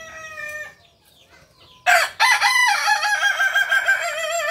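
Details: Kukuak Balenggek rooster, a native chicken of Solok, West Sumatra: after a fading earlier call and a short gap, a loud crow bursts out and stretches into a long wavering tail that rises and falls in many quick steps.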